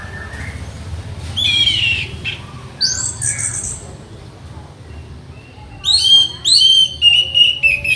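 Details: Orange-headed thrush, a tutor bird being trained to steady its nerve, singing loud whistled and slurred phrases with sharp high notes, bursts between quieter pauses, a rapid run of repeated notes near the end.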